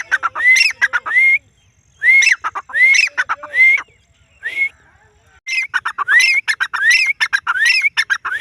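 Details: Female grey francolin calling: bursts of sharp clicking notes, each capped by a clear whistled note that sweeps upward, repeated in quick series with short pauses between bouts, about eighty notes a minute.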